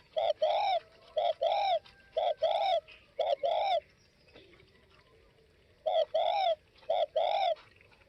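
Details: Spotted dove of the Northwest (Tây Bắc) type: rapid series of paired coos, short then drawn out, four phrases in a row, a two-second pause, then two more, with little else audible.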